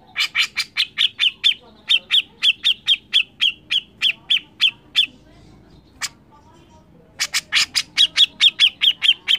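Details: Grey-cheeked bulbul in persistent, forceful song for training other songbirds: a long string of quick, rasping, evenly repeated notes, about four per second, one brief break, then the series resumes.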